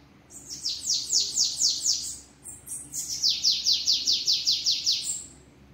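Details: Sibite (bananaquit) recorded at a house, singing the 'treme treme' style: two phrases of evenly paced, shrill, descending notes, the second longer with about ten notes.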